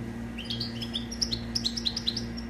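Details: Captive European goldfinch song, the owner's own bird, recorded for teaching young goldfinches to sing; rapid twittering series of high, sharp tinkling notes, climbing then repeating, over a steady low indoor hum.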